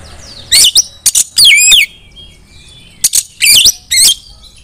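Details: Female white-rumped shama calling other shamas to sing; short bursts of sharp, sweeping whistled and squeaky notes in two groups separated by a brief pause.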